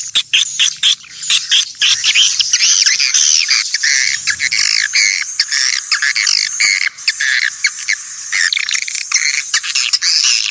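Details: Swiftlets calling in a lure recording taken from nature to attract them: a long, dense stream of rasping, buzzy chirps and clicks from many birds, with a brief softer patch midway and a constant thin high hum.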